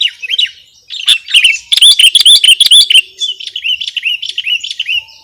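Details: Sooty-headed bulbul, recorded for use as a lure or tutor song: lively, rapid chirping of short, bright, up-and-down notes, several per second, with a denser burst in the middle and a clean background.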